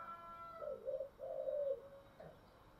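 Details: A spotted dove coos in the 'giọng thổ' style through background hiss. A wavering low phrase leads into a longer sustained coo, and one short faint note closes it.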